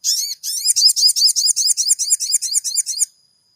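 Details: Crimson sunbird song used as a lure to provoke a caged bird into singing: a three-second run of rapid, high, buzzy chirps, each note sweeping up then down, repeated about two or three times a second, in an otherwise quiet recording.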